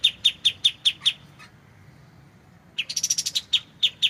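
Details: White-shouldered triller recorded as a clear training song for oriental magpie-robins: a run of six sharp, high chips at an even pace, then a silent pause, then a fast burst of chattering notes ending in two spaced chips.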